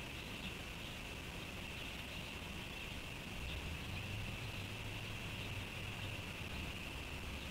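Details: Steady broadband hiss with a constant band of noise, a low rumble like distant traffic, and no animal voice.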